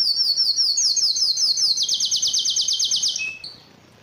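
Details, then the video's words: A yellow canary sings a very high, fast rolling trill that steps down in pitch midway, ends with a short lower note, then falls silent. "yellow canary singing"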